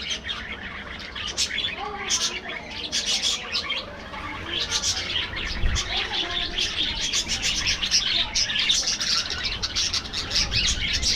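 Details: Flock of aviary budgies at their afternoon diet, producing a long unbroken stream of bright twittering and warbled chirps that grows busier and louder toward the end.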